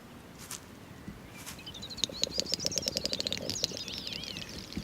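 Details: Great snipe at sunrise in moist pasture in the Dvieta river lowlands on the Latvia–Lithuania border, likely a male in courtship display, gives a rapid run of dry clicks that speeds up, laced with high, thin whistles and ending in a warbling flourish.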